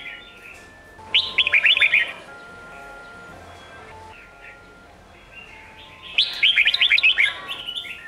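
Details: Sông Kôn style song of a red-whiskered bulbul, played to train young birds for fighting-style competition singing: two rapid bursts of rich, tumbling whistled phrases about five seconds apart over a steady electronic hum.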